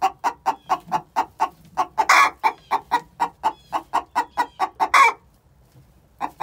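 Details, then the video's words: Egg song of two young hens, six months old, before laying: quick even clucks repeated several times a second, two drawn-out raspy squawks mid-run, then near silence. "Chicken song before they lay"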